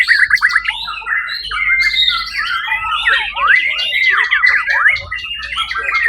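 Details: Prize-winning white-rumped shama at a songbird competition, Suara Agung, 1 October 2023; fast sweeping whistled slurs rising and falling, mixed with scratchy notes, poured out without pause.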